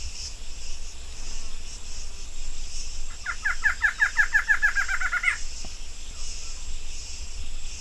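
A female Barred Antshrike gives a two-second series of nasal notes that speeds up into a rattle and ends abruptly. Steady insect buzzing fills the background.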